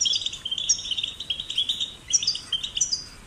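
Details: Goldfinch chick song used to encourage singing: a quick, high, tinkling twitter of short chirps and trilled notes, with a brief lull near the middle before a bright burst resumes.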